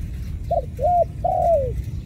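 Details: Ground dove caught in a trap gives a clear three-note coo: a clipped opening note, a level hooting note and a long coo drifting downward, with a faint low hum behind it.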